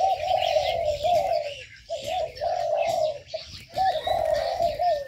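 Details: Ornamental aviary birds: long, steady coos, each lasting over a second with a slight wavering ending, separated by short silences, and light high chirps mixed in.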